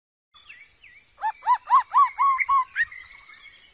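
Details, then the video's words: White-rumped shama singing in the wild, a tutor song for training young birds: two short whistled slurs, then a run of loud arched notes repeated about four times a second, ending in a rising whistle. The background is quiet. "MASTERAN MURAI BATU DIALAM BEBAS COCOK UNTUK TERAPI BURUNG MURAI BAKAL"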